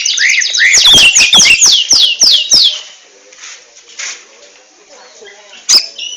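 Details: Ngentrok song of a captive oriental magpie-robin: a fast rattling series of about a dozen steeply falling whistled notes for three seconds, then near quiet with one sharp click.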